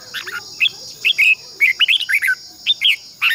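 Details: Decoy morning song of a red-whiskered bulbul for training caged birds, long twisted double-voice style: lively chirped and warbled phrases in quick bursts, some notes swooping up then down, with a constant high hum behind.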